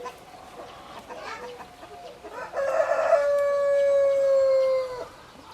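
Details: Soft clucking and chatter lead into a loud rooster crow, a harsh onset settling into a long steady held note of about two seconds that ends abruptly.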